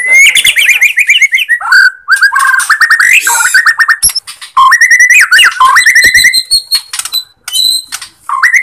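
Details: Bornean white-rumped shama singing as bait to provoke shamas that will not sing: dense, loud, varied phrases of stepped whistles, trills and buzzy notes, with clipped high chips in the pauses.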